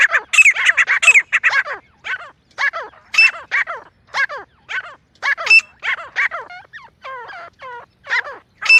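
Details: Teetar, the francolin or jungle partridge, calling as a hunting lure: irregular harsh, downward-sliding notes in uneven bursts, with a few thinner tonal calls mixed in.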